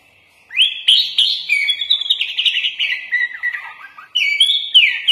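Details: Sooty-headed bulbul (kutilang) singing a full-filler 'isian' master song for training birds, in a gacor style with magpie-robin-type phrases; a continuous warbled, slurred phrase sliding up and down, with a short pause and then a bright rising restart.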